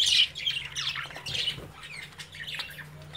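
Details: Caged budgerigar chicks playing while their parents watch: a loud burst of high, scratchy squawks opens, followed by softer overlapping chirps and warbles with a low steady hum underneath.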